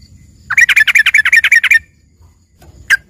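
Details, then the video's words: Yellow-vented bulbul singing fill-in song likened to a lively greater green leafbird. About a dozen fast, harsh, evenly spaced chirps run for over a second, followed by silence and one final chirp. "suara trucukan isian ini serasa bagai punya burung cucak ijo gacor"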